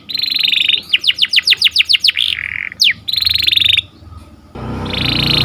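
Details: Morning canary singing a buzzy trill, then a string of steep downward-swept whistles, a low buzz, one sharp slur and another trill, before a burst of broad rushing noise at the end.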